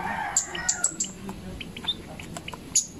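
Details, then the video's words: Zitting cisticola, known locally as cici padi, singing: sharp, very high ticking notes in a quick irregular run, with a rooster and other birds calling in the background. "cici Padi coklat(zitting cisticola) lagi berkicau"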